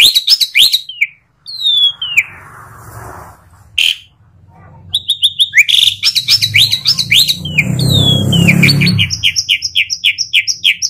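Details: Asian pied starling producing bursts of sharp descending whistles and rapid rhythmic chirps over a steady low rumbling background noise.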